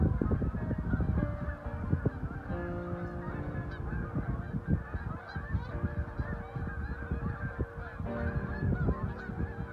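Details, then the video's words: Geese flying in flocks above Lake Okabena, Worthington, Minnesota, calling in a constant honking din, many overlapping nasal notes with low rumbling noise beneath. "Geese Over Lake Okabena"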